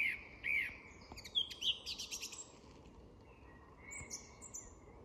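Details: Dusk song of a song thrush in an English woodland, a varied run of clear whistled notes, then a burst of sharp, scratchy chips, then fainter distant phrases, with a quiet woodland background.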